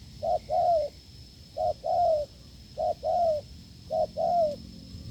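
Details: Wild field spotted dove, found while a decoy test failed, cooing forcefully: four evenly spaced low phrases, each a short hoot followed by a longer falling coo, thin steady high whine behind.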